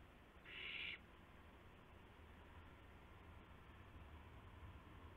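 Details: Owlets and parent owls at a nest in the early hours of March 19, 2016, with mice and a gopher brought as prey: a single brief, rasping hiss near the start, then only a low steady hum.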